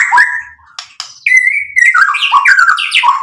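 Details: White-rumped shama song played to stir other birds to answer: rapid run of whistled notes sliding up and down, with a faint buzz at the start.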